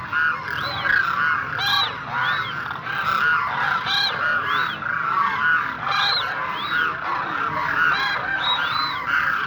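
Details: A noisy gathering of demoiselle cranes (koonj) for nearly ten seconds: a constant overlapping chorus of nasal, honking calls. Arched, rising-and-falling trumpet notes are repeated about once a second.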